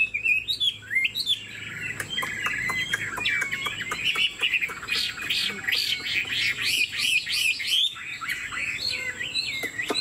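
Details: Chinese Hwamei kept as a cage bird, bobbing its head while singing. Whistled phrases build into a fast series of loud, rising sweeps, with sharp clicks throughout.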